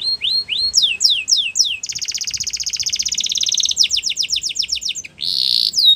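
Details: Canary song played to stimulate canaries to sing: high varied phrases of rising whistled notes, a fast buzzy trill lasting two seconds, more repeated downslurred notes and a brief harsh burst near the end.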